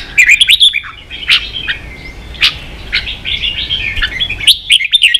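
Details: Red-whiskered bulbul in competitive song, Vietnam, a kept bird: dense lively chirps and whistles, quick repeated notes at the start and end, sharp accents scattered throughout.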